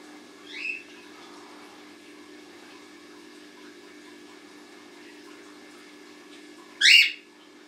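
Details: Cockatiel, a parent with two babies, giving two sharp, rising screechy chirps several seconds apart, over a steady low hum.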